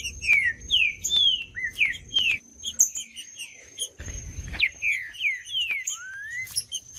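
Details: Green-winged saltator song of rapid whistled downslurred notes in a quick run, followed by a second phrase ending in a long rising whistle. A steady high tone sits in the background, with low thumping noise.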